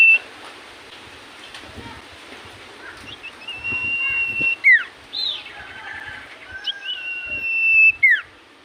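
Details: Common iora in full voice, whose song makes other ioras respond: long sustained whistles that drop away in quick swooping slurs, with softer chatter between, against a noisy outdoor background.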